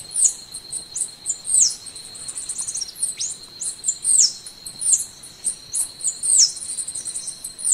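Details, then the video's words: Golden-winged sparrow (Arremon schlegeli) singing thin, very high notes and quick downslurred whistles in loose bursts, over a steady high insect drone. "Canto do pássaro arremon schlegeli"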